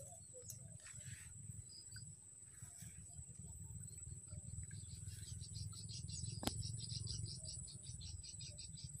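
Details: A young Plain Prinia at a riverbank gives a fast, high, dry chatter of quick ticking notes, over a steady insect whine and a low rushing of water and wind.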